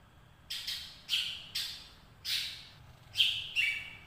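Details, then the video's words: Ngekek chatter of a greater green leafbird: a series of short, harsh, scratchy bursts roughly every half second, with a few thin whistled notes mixed in, over low steady hum. "Cucak Ijo ngekek Panjang"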